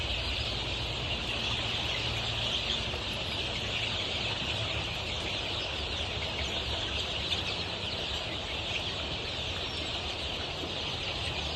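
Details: A flock of 23-day-old Golden Misri chicks at a poultry farm in Pakistan keeps up unbroken shrill peeping, many voices blending, while a deep droning hum runs beneath.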